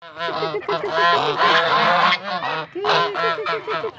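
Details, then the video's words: Hungry geese honk loudly and continuously, several overlapping nasal, harmonic calls at about three honks a second, with a short pause midway. "goose sound hungry"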